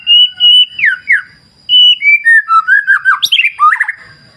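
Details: Loud white-rumped shama song with natural clear-river ambience: repeated whistled notes and down-slurs, a brief pause, then a rapid chattering cascade of varied notes with a high sharp rise, a thin constant tone underneath.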